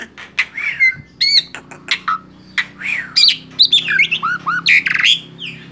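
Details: Male black-winged starling singing a mix of rough squawks, arched whistled slurs and sharp clicks, phrases coming every half second or so over faint background hum.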